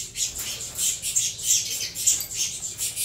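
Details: Saffron finch young of a Venezuela CMA and CVK 103 cross beg noisily at feeding time, giving quick, hoarse high squeaks roughly three per second, uneven and overlapping.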